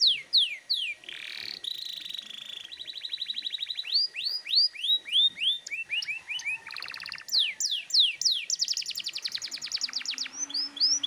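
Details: Persistent, fiery canary singing meant to make young canaries sing along. A long, varied sequence of swooping slurs, buzzy rolls, quick rattling trills and sharp whistles follows with barely a pause.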